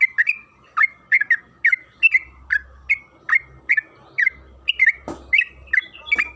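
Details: Lure song of a yellow-vented bulbul, trucukan kebo, sung 'gacor' and long: a chain of sharp warbled notes about twice each second, with one short rustling thump near the end.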